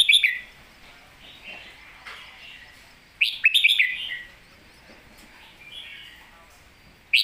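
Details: Red-whiskered bulbul 'master song': cheerful, liquid whistled phrases of several swooping notes, repeated after pauses of a few seconds, with softer warbles between them.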